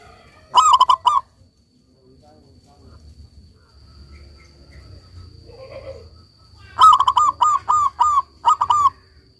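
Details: A prolifically singing local zebra dove, used to stimulate doves that have stopped singing, gives two bursts of quick, staccato, mid-pitched bubbling coos separated by a quiet gap with faint low rumble.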